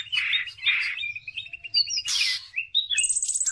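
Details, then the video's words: Cucak ijo, or Greater green leafbird, singing as a lure for training other birds: rough buzzy bursts, a string of evenly spaced clear whistled notes, then a high fluty ending. "CUCAK IJO GACOR || COCOK BUAT PANCINGAN"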